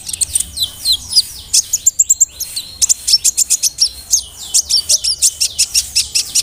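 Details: Brown-throated sunbird, a lively, heavily built singer with an energetic voice, used as a lure to provoke other sunbirds: rapid high twittering, sharp chips and quick downslurred notes in dense bursts, loud and continuous throughout.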